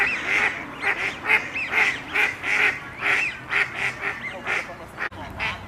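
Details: Rapid, chattering quacks from a Khaki Campbell duck, about two per second, nasal and hoarse, in a continuous excited series.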